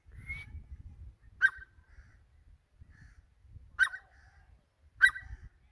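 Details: Grey francolin calling: loud, sharp, abrupt notes repeated at irregular gaps of one to two and a half seconds, with low rumbling background noise between the calls.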